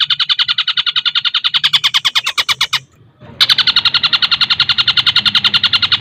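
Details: A long-tailed shrike (cendet) in dense, speedy tengkek buto imitation joined to greja and kunti sounds. A rattling stream of rapid harsh notes breaks off briefly near the middle, then resumes just as fast.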